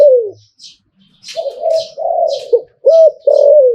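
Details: Zebra dove singing 'Liu Tan' style: a falling coo, a gap, then long purring coos and crisp hooked notes, accompanied by bright high chirps from other small birds.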